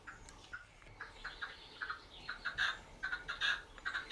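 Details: A red-legged partridge hidden in low scrub sings, giving harsh, clucking notes in uneven bursts, several per second, building to a rhythmic chattering series, while a common buzzard watches from a perch; faint background hiss.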